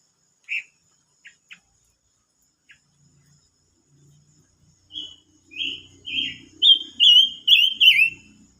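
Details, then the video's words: Silver-eared mesia, 25 May 2022: a few scattered chip notes, then a rapid run of bright whistled phrases that rise and dip, ending in falling slurred notes, with faint low murmuring underneath. "chim ngú sắc hót mới nhất"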